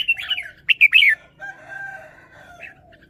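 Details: Red-whiskered bulbul showing off its song phrasing: a quick burst of bright, warbled, slurred notes in the first second, then quieter, drawn-out lower tones trailing behind.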